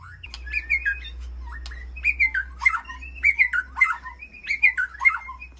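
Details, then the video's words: White-rumped shama kept in an aviary gives a call to its flock: a series of rich, warbling phrases, each a short tumble of notes, repeated about every second, with a low background hum. "Sound of White-rumped Shama Call to Flock"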